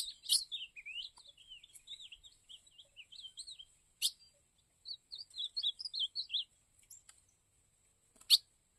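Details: A soft, warbled song from an ultramarine grosbeak in Cariri, in two short bursts of wavering whistles, broken by a few loud sharp clicks.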